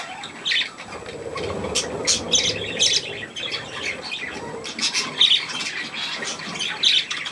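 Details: Young budgerigars around millet, 3 May 2024: sharp high chirps and short squawks spaced unevenly through the clip, with a low background murmur.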